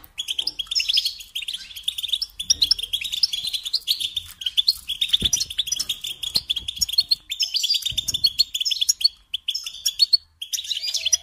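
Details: European goldfinch delivering a sustained twittering song in a care context: dense rapid chirps, jingling phrases and buzzy rolls flowing almost without break for over ten seconds, with faint knocks.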